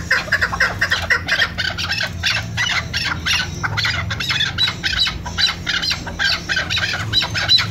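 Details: A female chukar partridge, used as a hunting call bird in the mountains, gives harsh, rapid clucking notes, several each second, in an almost unbroken chattering run over a low steady hum.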